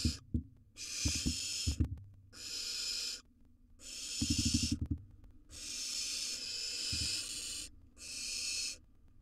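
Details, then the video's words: Wild barn owl nestling in its nest box devours a gerbil, producing repeated coarse hisses, with rapid low knocking and rustling from the feeding between several calls. "Barn Owl Nestling Devours A Gerbil"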